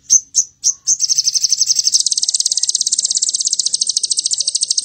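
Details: Crimson sunbird, its lure song in the cililin style: three or four short high chips, then a sustained, very rapid, high-pitched buzzing trill that runs to the end.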